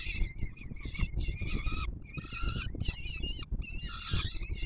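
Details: Chicks of peregrine falcon being fed on the Palace of Culture and Science, Warsaw, Poland, 7 July 2022, beg with nearly nonstop harsh, quavering wails broken by brief silences, over persistent low wind noise.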